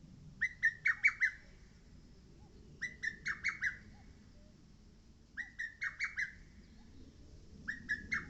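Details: A lesser cuckoo sings again and again on Mount Oike, each phrase a quick string of about five slurred whistles, with phrases arriving roughly every two and a half seconds.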